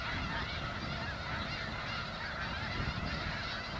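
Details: Several thousand Snow Geese on a newly sprouted wheat field in the Skagit Delta, Washington, create an unbroken roar of overlapping, yelping honks.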